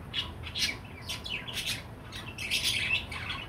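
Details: Pet budgerigar chattering with buzzy, scratchy squawks and quick chirps, ending in a denser warbling burst, over a low background hum.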